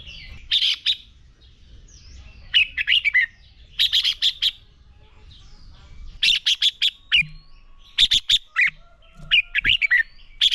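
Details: Training recording of a red-whiskered bulbul's fighting song: repeated short phrases of three to five sharp, rich whistled notes, each group falling in pitch, separated by brief pauses, with soft chirps and low rumble between.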